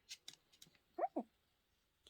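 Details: Talkative pet Amazon parrot mimicking speech after being prompted to say bye: two short, clear, voice-like syllables with falling pitch, a moment apart, preceded by soft clicks and taps in a small room.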